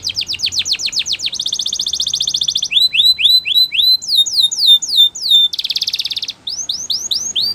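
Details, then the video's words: Spanish Timbrado canary singing a training song: rapid tours of repeated notes, first steep descending sweeps, then a fast buzzy trill, hooked rising whistles, arching upslurs and a dense rattle, each tour switching abruptly to the next. "Canary Singing Champion !! Spanish Timbrado Song"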